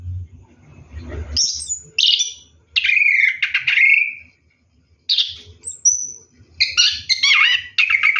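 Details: Orange-headed thrush bathing at night, with a low rumble and splashing first, then bursts of whistled notes and downward slurs broken by short silences.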